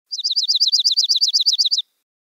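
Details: A Dark-eyed Junco in Kentucky gives a ringing, metallic trill likened to a car alarm: about sixteen quick notes, roughly nine a second, held on one high pitch for under two seconds.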